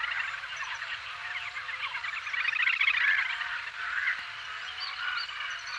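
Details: Little grebe uttering a long, rapid, bubbling trill of high pulsed notes that rises in loudness midway and then tails off, over a low steady hum.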